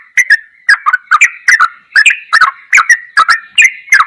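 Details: Yellow-vented bulbul song for training caged birds, in the ropelan goklikan style: rapid bursts of short, bubbly notes around the middle pitch range, each burst with a sharp clicking edge, repeated about every half second.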